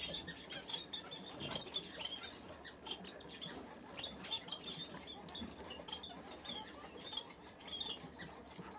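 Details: A newly bought pair of masked finches imported from Europe, recorded 18 December 2016, give thin, high, short chirps scattered through the clip, over steady rustling and the flutter of wings.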